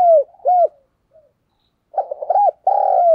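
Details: Cooing spotted dove, a decoy 'chìm' call for luring wild doves: two hooked coos, a short pause with a faint note, then a stuttered phrase ending in a hooked coo and a long level coo.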